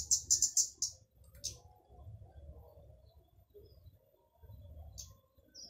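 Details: Loud flowerpecker song, used to lure other flowerpeckers into singing: a rapid burst of high, thin ticking notes in the first second, then two isolated high chips later, over a low background rumble.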